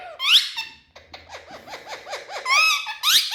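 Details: Indian ringneck parakeets kept indoors in a room, described as happy. Shrill, squeaky harmonic squawks open and close a run of quick, repeated arched chirps. The room sounds small and enclosed.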